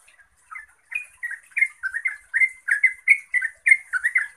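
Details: Yellow-vented bulbul in song meant to stir other bulbuls to reply, starting hesitantly with a few soft notes, then building into a fast, loud chain of liquid chattering phrases that rise and fall.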